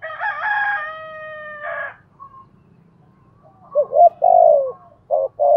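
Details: Spotted dove, song in the Hạp Bổi voice style, covering calling, urging and cooing. A loud harmonic, steady call fills the opening, then after a quiet gap comes a cooing phrase: a short note, a doubled coo, a long falling coo and a final short coo.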